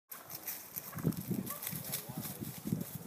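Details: Wild turkey males battling for dominance on California's central coast: low, throbbing pulses repeat roughly every quarter second in uneven bursts, with faint background rustle.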